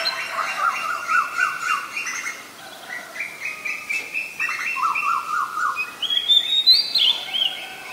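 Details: Oriental magpie-robin in the wild, singing a lively stream of repeated rippling notes at different pitches, followed by a high clear whistle near the end.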